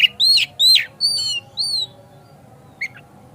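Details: Kacer, or Oriental magpie-robin, singing as a lure to make another kacer sing and open its tail: four loud, long, downslurred whistles about two per second, then a brief soft chip.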